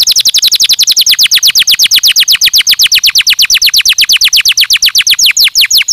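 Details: Canary delivering a stimulating song as one continuous rapid trill of sharply descending notes, about eight per second, even and loud throughout.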